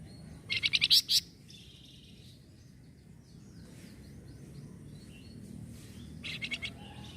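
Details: Sunda bush warbler responding to a noisy sound: an early burst of about six high, sharp chirps, a long quiet stretch with faint distant chips, then a softer second burst near the end.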